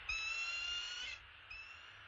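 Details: One drawn-out, thin whistled squeal from a male bald eagle carrying an opossum to the nest, held for about a second, then a softer, shorter note trailing after.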